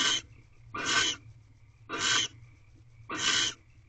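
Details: Barn owls mating in a nest box on their eighteenth night, 5:40 am, 7 March 2023: four evenly spaced, harsh airy screeches roughly every 1.1 seconds, rasping and hiss-like, with a faint steady tone behind.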